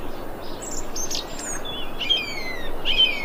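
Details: Thrush calling, recorded 25 February 2021: a few faint high notes, then clearer slurred whistles that slide downward in pitch, repeated about twice in the last second and a half, with background hiss.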